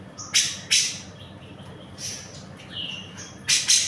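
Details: Grey-cheeked bulbul in lively full song: loud, harsh, rasping bursts alternate with clear whistled phrases, including a smooth falling whistle near the end.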